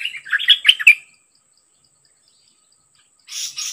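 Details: Song from a decoy bird facing a very aggressive captured wild bird: about one second of fast, varied whistled notes, a long silence, then a short harsh scratchy burst.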